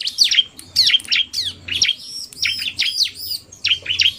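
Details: Combined bar-winged prinia voices, a narung-style male and a fast female: emphatic, down-slurred high whistles and squeaky chirps in uneven clusters, with a soft background hum.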